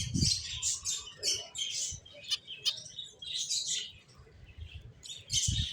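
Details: Finches chatter in high, rapid chirps and twitters, louder at the start and end, with a few soft low knocks and a quieter stretch in the middle.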